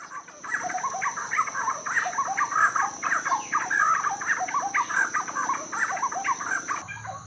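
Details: In Guatemala's Pacific lowlands, among banana plantations, a territorial Giant Wren pair getting ready to breed (nesting in a banana bag) calls with a lively stream of rich, rollicking chattered phrases over a steady high-pitched insect drone.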